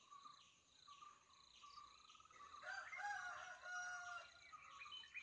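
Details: Indian peafowl in Kerala, India, giving a loud, drawn-out harmonic wail lasting over a second, rising to full strength midway, over a steady background of small birds chirping and twittering.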